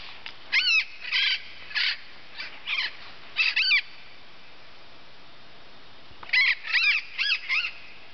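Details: Critically Endangered Yellow-eared Parrot, perched in Colombia's Andes in Nov/Dec 2009, gives harsh, grating squawks in two bursts: five quick calls, a short pause, then four more. Faint background hiss.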